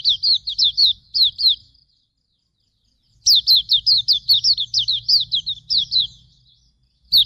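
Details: Hume's white-eye singing a master song for bird training: a short burst of high, thin slurred chirps, over a second of silence, then a longer rapid run of about fifteen chirps, ending with another brief start.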